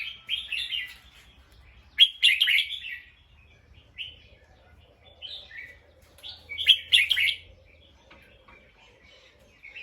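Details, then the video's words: Bulbul sounding alert after hearing something: loud bursts of scratchy, chattering chirps in clusters every few seconds, separated by single softer notes, in an otherwise quiet setting. "The sound of a bulbul Listened and then definitely alert."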